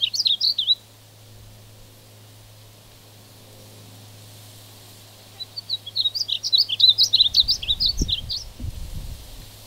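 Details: Singing male painted bunting: the tail of one brisk warbling phrase, then after a quiet gap a longer run of bright, tumbling high notes, with low thumping noise underneath near the end.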